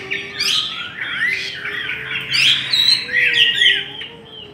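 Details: Chinese hwamei in competitive counter-singing sings a rich, loud run of varied whistled phrases, sweeping up and down with fast trills; a second bird may be singing alongside.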